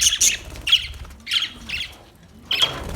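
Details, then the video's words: Budgerigar calling with a few short harsh squawky chirps separated by brief pauses, faint low background rumble. "Beautiful Budgie Beautiful birds Chirping Sounds"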